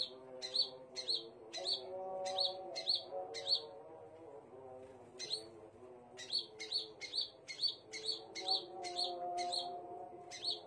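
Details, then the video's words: Scarlet minivet song of bright, high-pitched whistled notes that swing up and down, repeated in rapid bursts with brief pauses, while a continuous low humming tone runs underneath. "KICAUAN BURUNG SEPAH RAJA"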